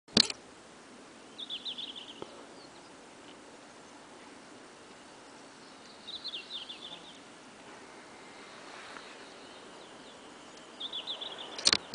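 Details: Red-flanked bluetail singing three short, quick, high warbled phrases spaced about five seconds apart, faint over a steady hiss, with sharp handling clicks at start and end.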